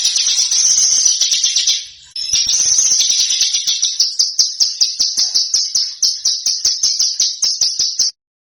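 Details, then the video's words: Small bird song intended for training competition cage birds: a dense high buzzing trill, a brief break, then pulsed sharp notes that gradually separate into distinct rapid chips before ending suddenly. "Suara BURUNG KECIL !!! MASTERAN BURUNG KECIL TEMBAKAN TAJAM DAN SUPER PEDAS"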